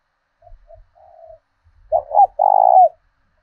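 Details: Decoy spotted dove with a southern 'thổ đồng' voice, kept to provoke rivals into fighting: a few soft low coos, then two loud, rough, throaty coos with a trembling tone. Background is silent.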